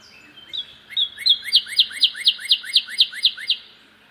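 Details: Cardinal calling loudly while another cardinal sits at a bird feeder: a short whistled lead-in, then about ten clear slurred whistles repeated at an even pace of roughly four per second, with a faint steady background hum.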